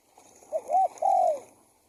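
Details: Spotted dove (tekukur) call used as a decoy to lure wild doves: a soft, low cooing phrase of three notes, two short rising-falling coos followed by a longer drawn-out coo, in a quiet setting.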